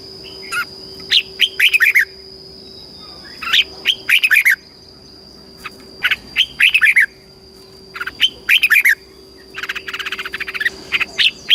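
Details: Red-whiskered bulbul, Thailand, southern master style song for stimulating and teaching caged birds: five sprightly whistled phrases roughly every two seconds, the last running into dense, rattling chatter, over faint background hum.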